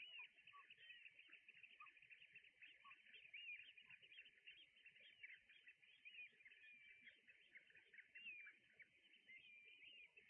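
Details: Flock of red knots together with brent geese on Juist, calling nonstop: crowded, chirping whistles and rising squeaks, with occasional lower, brief honking notes from the geese and faint surf underneath.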